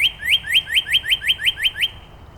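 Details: Northern Cardinal in Angrignon Park trading song variants with neighbours: a brisk, regular run of about nine loud upward-sliding whistles, each quickly repeated, ending abruptly.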